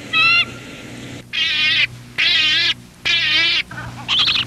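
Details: Harsh, wavering gull distress calls broadcast through a loudspeaker bird-scaring device to keep gulls away from an airport runway, in half-second bursts about once a second, opening with a short electronic tone.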